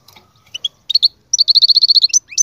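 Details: High goldfinch song offered as a tutor for a quiet bird: a few scattered chirps, then a quick even trill of clipped notes, ending with upward-slurred twitters.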